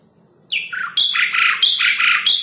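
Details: Asian pied starling song used to stimulate caged starlings and lure wild birds: loud, scratchy descending squawks followed by a fast rhythmic series of harsh, grating notes, each about a third of a second long.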